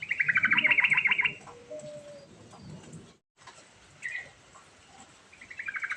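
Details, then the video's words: Rolling, varied sooty-headed bulbul song used as a lure for a bulbul that won't sing: it opens with a loud rapid trill, then a few lower whistled notes, a short break, one slurred note, and a fresh trill starting. "Burung Trucukan Gacor Ngerol Isian Variasi Sangat Ampuh Buat Pancingan Trucuk Macet Bunyi"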